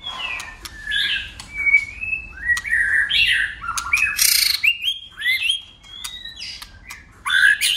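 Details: White-rumped shama in a competitive, many-voiced song: a fast string of varied whistles, slurs and warbles with sharp clicking notes and a few harsh buzzy bursts.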